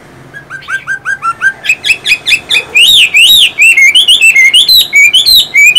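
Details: Caged Chinese hwamei song: a series of soft upslurred whistles that speeds up into loud, rich arching whistles, repeated rapidly and varied in pitch.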